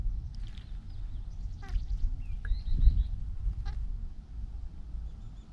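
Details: Bathing large grey babbler giving sharp, nasal harmonic notes in short stuttered bursts, three separate calls, mixed with faint thin whistled notes and low background rumble.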